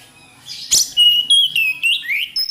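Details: Mountain flycatcher (tledekan gunung) sings a string of short, bright whistled notes, mostly level with a final rising slur, repeated several times a second.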